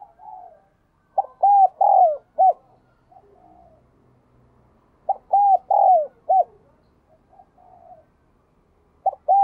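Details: Spotted dove singing in the clear, ringing 'đồng chuông' (bell voice) style. Two full phrases about four seconds apart, each a quick lead note, two drawn-out mellow coos and a short clipped ending, over a faint low hum.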